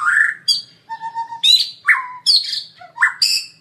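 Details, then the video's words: White-rumped shama singing a lure song full of fill phrases: a loud, clear sequence of varied whistled notes, some steady and some sharply rising, in short bursts separated by brief pauses. "pancingan murai batu gacor full isian"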